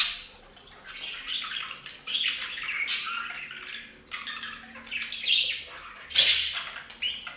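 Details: Pet budgerigars bathing in a bird fountain give a busy, scratchy warbling chatter with sharp squawks and chirps, bursts rising and falling over a few seconds, loudest near the end.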